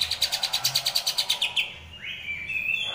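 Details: Greater green leafbird training recording with a rolling, harsh besetan song: a rapid series of about a dozen sharp buzzy pulses over a second and a half, then a clear rising whistle sliding into a sustained high note.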